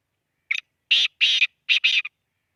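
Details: Call of a black francolin from Khushab: a short rasping note, then two pairs of loud grating, buzzy notes with a brief clipped ending, in otherwise silent surroundings.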